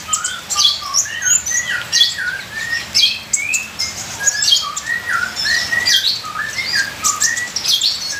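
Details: Ninja sunbird full-fill song, a training and lure recording with rain: clear rising whistled notes alternating with shrill high twitters in a lively, varied sequence, with pattering rain behind.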